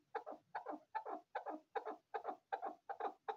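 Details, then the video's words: Male and female chukar partridges calling: a rhythmic series of paired, clucking chuk notes, about two and a half per second, steady throughout. "kiklik avi sesi , dise shikar aur larai waly chakor, avaz sung male female"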